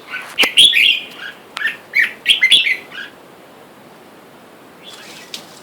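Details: A caged pair of wild-caught red-whiskered bulbuls, male and female, with free birds calling for a mate outside. A quick series of loud, bubbly chirped notes fills the first three seconds, then near silence with a faint distant phrase.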